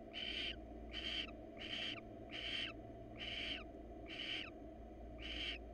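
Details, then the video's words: Female barn owl in the wild soliciting mating from a male, too early and too hot for breeding; seven rasping, hissy screeches at a steady pace of about one per 0.8 seconds. "Yet again male barn owl turns down females invention to mate."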